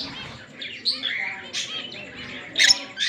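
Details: Two green Fischer's lovebirds, pet birds, in a steady stream of high squeaky chirps and short whistled twitters, ending in a louder shrill burst.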